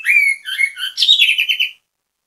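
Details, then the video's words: Orange-headed thrush singing loudly as bait for other birds to join in. Quick, tumbling whistled phrases, then a bright, trilled note held steady before stopping. No other sounds. "ANIS KEMBANG GACOR MEMBUAT ANIS KEMBANG IKUT BUNYI, PANCINGAN ANIS KEMBANG"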